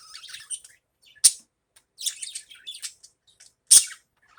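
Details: Pet budgerigar calling in the morning: scattered high twittering and chattering notes broken by two sharp, loud squeaks about two and a half seconds apart.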